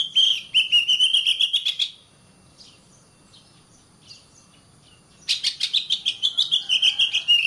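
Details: Oriental magpie-robin singing, used to train caged birds: two bursts of fast rattling notes over a steady whistled tone, separated by about three seconds of near silence with soft distant notes.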